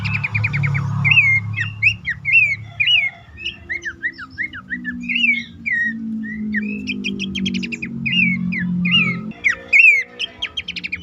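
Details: Lure call of Horsfield's babbler to prompt caged birds that will not sing: bursts of sharp whistled up-down notes and rapid chattering trills, with a low sustained tone in the background.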